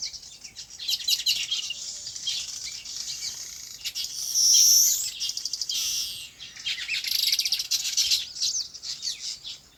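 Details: Several birds chirp on a farm in their natural habitat, giving a busy mix of high twittering notes, with one louder, sustained burst of bright chatter in the middle before the lighter chirps resume.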